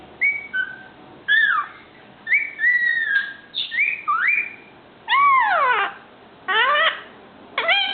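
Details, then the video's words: Whistling from a five-month-old male Indian ringneck parakeet, a talking pet in training: clear level and slurred whistles, some descending sharply, several strongly harmonic, spaced about every second. "INR making funny sounds and gives kisses!"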